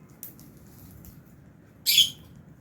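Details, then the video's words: Caged lovebirds of a mixed colony of Fischer's and albino birds in an aviary at feeding time. Faint ticks at first, then a single loud, harsh, high chirp near the end, with a quiet hum behind it. "Lovebirds Chirping Sounds"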